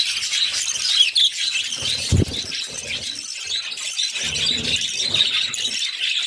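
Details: Mother budgerigar feeding her six chicks in captivity; the young give constant thin, high squeaky chattering, with a brief low thump near the middle.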